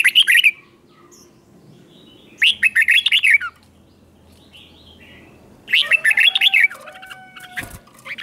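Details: Doubled 'เบิ้ล' song of a red-whiskered bulbul in a cage, for teaching young birds: three phrases of rapid choppy notes about three seconds apart, and a sharp click near the end.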